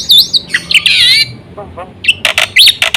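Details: Black-winged myna full song used to draw other mynas into song: wavering whistles and a warbled rolling phrase, brief low notes, then loud harsh buzzy bursts and a sharp whistled rise.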